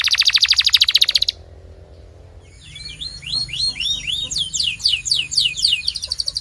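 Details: Canary song played to coax other canaries into singing: a rapid, even trill of high pulses for over a second, a short pause, then a run of quick descending whistled sweeps repeated several times a second.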